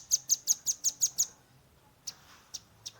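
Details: Young velvet-fronted nuthatch in rapid 'tembakan' shooting song, recorded on a Redmi 10 phone as tutor material: a fast burst of seven sharp, high, ticking notes, then a pause and a few scattered single notes.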